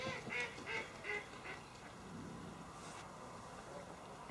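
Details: Green-winged teal recorded on 26 January 2013 at Polemere nature reserve in Shropshire, England: three quick clipped whistles in the first second, then a continuous murmur of other waterbirds and ambient noise.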